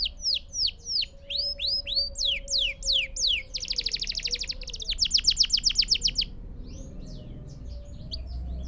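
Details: Canary song for training young birds: repeated falling whistles in pairs, then a buzzy trill and a rapid rattling series, ending in softer scattered notes over a faint low whistle-like tone.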